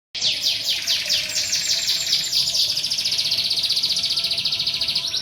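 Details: Canary tutor song for training canaries to sing and roll: a burst of high, fast downward-sweeping notes merges into a long, even, rapid rolling trill that holds steady to the end.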